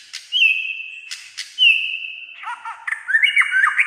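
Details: Song of a white-rumped shama, a bird that sings for much of the day: two long clear whistles separated by clicks, then a rapid run of varied warbled, chattering notes.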